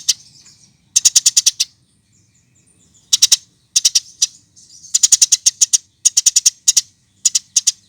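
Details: Eurasian tree sparrow singing vigorously, used for masteran songbird tutoring: tight bursts of five to eight shrill chirps, then pauses, then shorter clipped groups of high notes.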